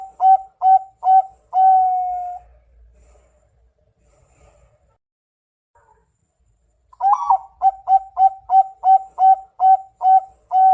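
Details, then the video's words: Zebra dove song: two bursts of repeated low, soft cooing notes, the first a quick run ending in a longer drawn-out coo, then a pause and a steady series of about ten evenly spaced rounded coos. "Suara Burung Perkutut"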